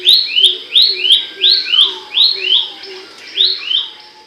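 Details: Abbott's babbler song from a training recording for songbirds, described as loud and sharp: paired rising whistled notes repeated in quick succession, with a faint low steady hum and a separate falling whistle in the background.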